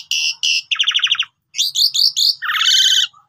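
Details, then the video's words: Pied myna song used as a lure to get other birds singing: bursts of high buzzy notes, a rapid series of descending chirps, then harsh chattering phrases and a long grating rattle, with no other sounds. "Jalak Uren Gacor Full Isian"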